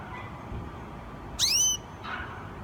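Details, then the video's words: Gloster canary new singer from July 2016 utters one crisp, high, upward-sliding chirp lasting under half a second, followed by a faint softer sound and steady low background noise. "2016 Gloster Canary New Singer"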